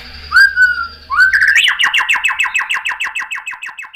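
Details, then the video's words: White-rumped shama singing vigorously, a lure song meant to provoke other birds into answering: two long clear whistles, then a fast series of about fifteen sharp, evenly repeated notes, over low background hum. "PANCINGAN MURAI BATU GACOR bikin EMOSI jadi NYAUT BONGKAR MATERI ISIAN ¦ SHAMA BIRD"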